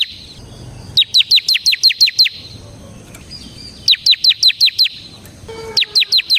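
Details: Bar-winged prinia (ciblek semi), singing in continuous 'ngebren' style, a recording used as a lure and tutor for other birds: bursts of sharp, high, downslurred notes repeated about three per second, with pauses between runs.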